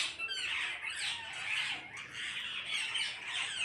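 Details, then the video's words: Parrot flock producing an unbroken wall of overlapping harsh screeching, steady in loudness throughout with no pauses. "கூட்டமாக கிளிகள் சத்தமிடுகிறது"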